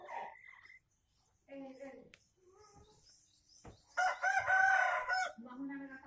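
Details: Junglefowl from Aceh, Indonesia, crowing as a lure for wild birds: after quiet, scattered calls, a loud, harsh, broken crow bursts out near the end and lasts about a second, followed by a low note.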